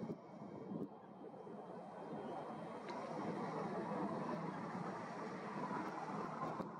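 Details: A continuous vehicle or boat engine drone swells gradually, with occasional clicks and no animal voices.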